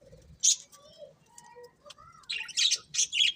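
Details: Budgies chirping: sharp high chirps and soft lower whistled notes, ending in a cluster of bright, squeaky calls.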